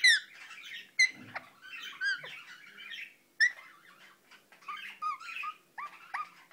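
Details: Pet Indian ringneck parakeet mumbling, mixing abrupt, loud whistled notes with ringing overtones and quieter chattering phrases of curved, slurred syllables, with pauses between bursts.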